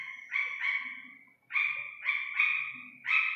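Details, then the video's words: Iranian partridge chick giving clear, natural calls: loud harmonic notes in short bursts, each a quick run of two or three strong syllables with a steady mid-pitched tone, separated by brief pauses. "ایرانی تیتر کے بچے کی اصلی آواز"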